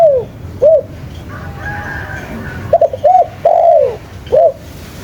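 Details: Spotted dove in full, vigorous voice, giving soft, hollow, low coos, each a short arched note, in a broken series of single and paired notes with brief pauses between phrases, over quiet background hiss.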